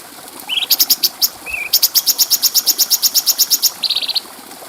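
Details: Cucak cungko bulbul recorded as a clear training song for other birds: a short rising whistled slur and a low wavering whistle, then a fast run of about twenty sharp high chips and a brief buzzy trill.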